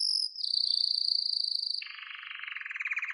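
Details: Canary in full song, meant to teach another canary: a long steady whistled trill that shifts down into a lower, broad rattling roll.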